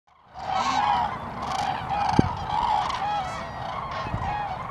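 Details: Cranes at Lake Hornborgasjön, Sweden, in April 2017: loud trumpeting calls repeat about every half second over a steady background murmur of more birds, with a couple of sharp knocks.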